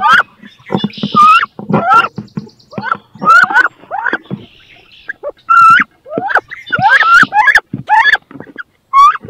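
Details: Inside a nest box, two female wood ducks fight for the right to lay and brood; loud upslurred squeals come in quick bursts between scraping and wing beats.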